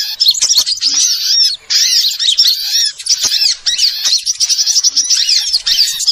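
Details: Small birds in a lure recording meant to draw wild birds: shrill, piercing chirps and rising-falling whistles pour out in a crowded chatter, with two brief lulls.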